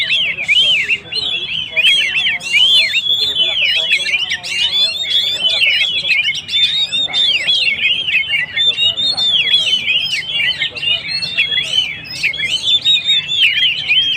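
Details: Energetic Oriental magpie-robin in full song, played to rouse and provoke stressed birds: a dense, steady stream of short looping whistled notes and chirps, repeated rapidly for many seconds, with scratchy notes mixed in.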